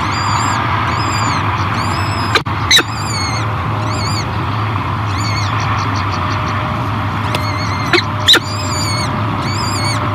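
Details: Peregrine falcon hatchlings at the Great Spirit Bluff nest in 2023, being fed by their mother: thin, high, arching peeps repeated in quick runs, with a few sharp harsh bursts, over a steady broad hiss and low rumble.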